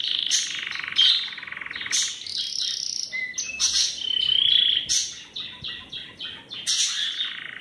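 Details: Belgian canary song made of bursts of bright chirps and short rolling trills broken by brief pauses, with one longer high whistled phrase midway.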